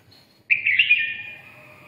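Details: Red-whiskered bulbul ('mí đỏ'), 'siêu ché' song: after a faint thin note, a loud sudden phrase bursts in with quick sparkling chirps, then stretches into a long rolling tone that slowly fades.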